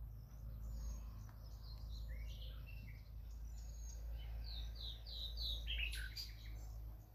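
A nightingale sings varied high phrases: slurred whistles, quick repeated notes and a burst of harsh trills near the end, over a steady low rumble.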